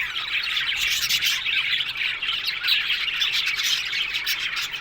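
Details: Budgerigars crowded in an aviary colony produce a thick, lively chatter, countless high squeaky chirps and squawks running together without a break.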